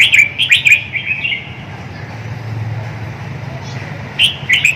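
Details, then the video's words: Red-whiskered bulbul singing short bright whistled notes, quick rising and falling slurs clustered at the start and again near the end, with a quiet stretch between and a low steady hum underneath. "awe kicau | merbah jambul uniq"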